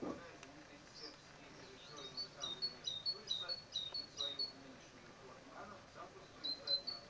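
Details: Great tit at its nest in a pull-up bar tube, series of short high chirping notes in quick bursts, pausing and then resuming, over low murmuring voices and outdoor background noise.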